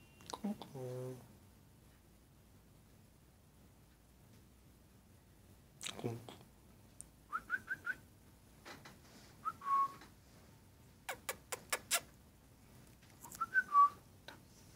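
A cockatiel gives a few short, clear whistled notes amid sharp taps and clicks.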